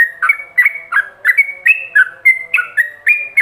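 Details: Rapid ropelan song of a yellow-vented bulbul, a lure recording for training other bulbuls: clear, liquid whistled notes alternating up and down, about three every second, with a faint low tone behind.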